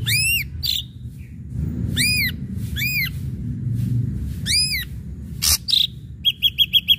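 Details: Ashy drongo song meant to provoke other birds to sing: repeated loud arched whistles rich in overtones, a harsh burst, then a quick run of five short high notes at the end.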